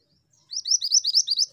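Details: An active female Pied Bushchat gives a quick burst of about eight high, sharp, upward-sliding chirps in an even, rapid rhythm with a quiet background.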